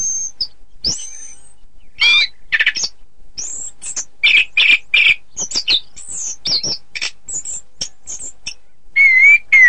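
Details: An Orange-headed thrush sings material meant for training contest birds: thin high whistles and a long falling slur, then rapid clusters of chirps and buzzy notes, ending in a clear wavering whistle.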